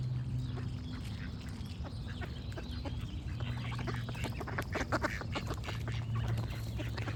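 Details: Duck giving clusters of quick nasal quacks that grow busier toward the end, over a continuous low hum and some background birdsong.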